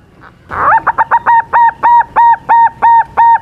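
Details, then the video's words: Young silver-colored zebra dove singing a lure song meant to make rival birds answer: a few quick rising notes, then about nine clear, hollow whistled notes on an even pitch, each repeated roughly every third of a second. "suara pancingan perkutut silver muda gacor lawan auto nyaut"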